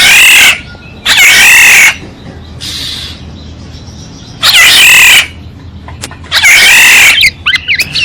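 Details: Black-naped oriole decoy audio: loud, hoarse mewing screeches in uneven sequence, one softer scratchy note midway, and quick fluty notes at the end.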